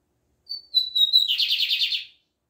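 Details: Bigodinho, the Lined seedeater, singing the Libanês song type: a brief high whistle, a short pause, steady whistled notes, then a rapid burred trill of repeated pulses ending cleanly in silence.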